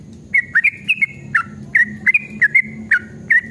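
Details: Yellow-vented bulbul singing an emotional 'ropel' song used to provoke other bulbuls: slurred whistled notes, several dipping or rising, come in uneven pairs and singles at roughly one per second, over a faint low hum.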